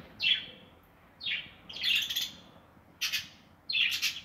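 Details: Budgerigars nesting in an aviary give five short, sharp downslurred chirps spaced about a second apart, some harsher and buzzier, against a quiet background.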